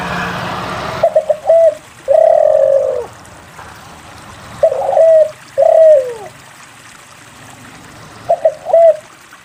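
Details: Spotted dove singing, used to coax other doves into calling: low coo phrases of two or three quick notes ending in a drawn-out descending coo, repeated, after a brief noisy start.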